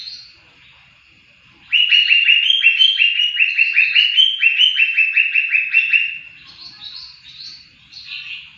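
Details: Greater green leafbird singing, used as training material for songbirds: after a quiet start, a loud, fast series of repeated downslurred chips runs for about four seconds, followed by thinner, higher twitters and warbling notes.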